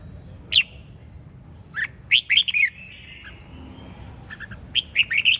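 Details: Red-whiskered bulbul delivering ché chẻ style song: bright, sharp whistled notes in separate short clusters, then a faint trailing tone and a final quick run of four or five loud chirps.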